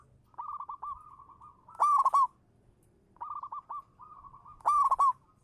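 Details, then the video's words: Local lure zebra dove repeating its song twice: a steady row of quick soft coos climbing into a loud ringing burst, each phrase lasting about two seconds. "suara burung perkutut lokal manggung juara pancingan"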